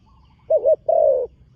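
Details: Young spotted dove on a competition ground for the first time utters one wavering two-peaked note followed by a long, smooth, slightly descending coo.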